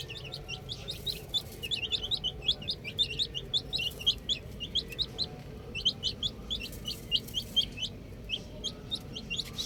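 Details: Outdoor baby chicks chirping busily: dense bursts of sharp high peeps in quick runs, pausing briefly around the middle, with low steady background noise.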